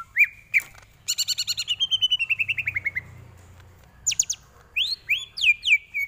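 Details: Greater green leafbird song used for training: a couple of rising whistles, a rapid chattering run of repeated notes gradually falling in pitch, then high sharp chips and looping slurred whistles.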